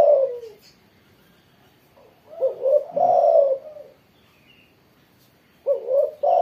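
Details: After morning sunning, a spotted dove coos strongly: a falling coo, a quiet gap, a rising note leading into a long throaty coo, then another pause before the phrase begins again.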